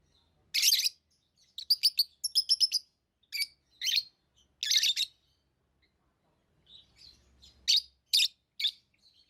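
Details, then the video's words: Lovebirds chirping in quick strings of sharp, high, buzzy notes, some rapidly stuttered, followed by softer scattered calls and a few louder chirps near the end. "Love birds Sounds | lovebirds chirping sounds"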